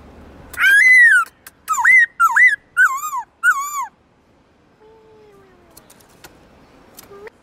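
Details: Black-throated laughingthrush singing in a cage in forest style: one long, loud falling whistle, then four shorter wavering whistled phrases. A soft, low, sliding tone and faint ticks follow in the quieter second half.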